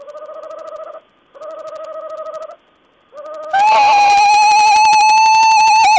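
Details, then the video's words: Owl vocalising on 14 April 2010: two long, wavering, tremulous trills of about a second each, then a very loud, sustained, buzzy, vibrato-laden call filling the last two and a half seconds. "Owl's talk"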